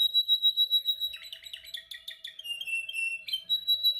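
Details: Canary in singing training, practising its song: pure high whistled tones alternating with rapid buzzy rattling notes and quick descending slurs, loud and continuous throughout, a faint steady hum in the background.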